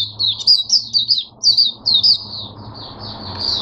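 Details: Kept Oriental white-eye singing 'buka sing' open song on 5 May 2022: loud, high, clipped chirps repeated about twice a second, then a softer run of continuous thin twittering.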